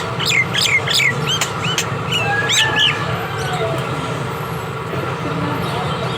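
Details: A talking mynah gives a quick run of varied chirps and rising whistles over about three seconds, then goes quieter, over a steady low rumble of traffic or machinery.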